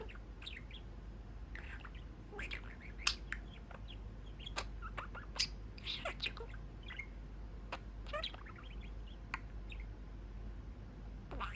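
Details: Caged pet budgie sitting at its cage window near its owners, giving scattered short chirps and squeaky warbles at irregular intervals over a low background hum.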